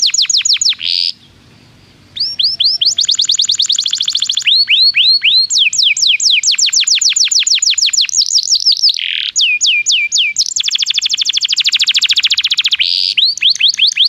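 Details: A canary sings to lure other canaries into singing. The long, loud song runs in rapid trills and rolling tours of sweeping high notes, with one short pause early on.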